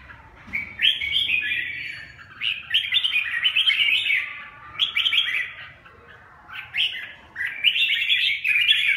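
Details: Red-whiskered bulbul singing the song style locally called "rét 4": bright, warbled phrases of quick rising and falling whistled notes, about a second each, given in bursts with short pauses and a faint low background hum.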